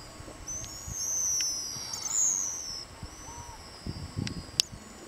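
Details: Pigeon guillemots give thin, high-pitched whistle calls, several long drawn-out sliding whistles overlapping in the first three seconds, then a few brief sharp notes; soft low rumbles of elephant seal breathing and distant sea lions beneath.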